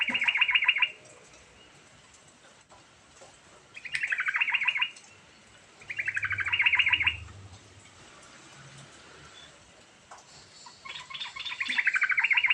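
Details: Yellow-vented bulbul in rolling song with varied phrases, used to get a silent bulbul singing. Four bursts of rapid chattering notes, each under a second, come at irregular intervals several seconds apart, with a faint low rumble between.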